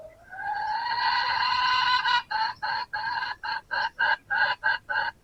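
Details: Wild red junglefowl rooster crowing in answer to a decoy rooster during a hunt. A long, rising, hoarse crow lasts about two seconds. Eight quick, clipped crowing pulses follow, set against steady background hiss.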